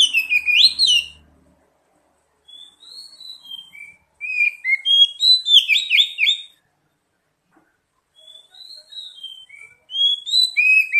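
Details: Oriental magpie-robin song played as a lure to provoke singing: loud opening notes, then clear descending whistles building into rapid, repeated chirping phrases, with a pause before more whistles.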